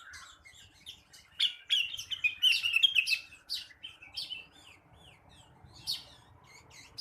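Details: Blue-winged leafbird (rengganis, cucak wilis) singing in the morning: a busy run of sharp, varied chirps and bright notes, then a quieter stretch of separate slurred whistles, each one rising or falling.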